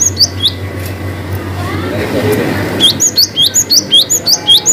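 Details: Cinereous tit singing a long-whistle variation used to coax quiet birds: a couple of high sliding whistles, a noisy lull, then a steady train of rapid repeated upslurred whistles, roughly two per second.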